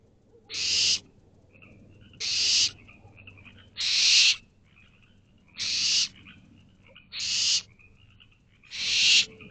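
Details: Barn owl owlets in a nest box at 10:55 pm on 24 May 2023, calling for their parents to bring food: harsh, hissing screeches, each about half a second long, repeated six times at steady intervals of roughly one and a half seconds.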